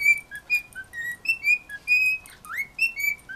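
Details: Household birds vocalizing at a dog: clear whistled notes, some steady, some slurred up or down, given in a quick irregular series, with one rising swoop near the end.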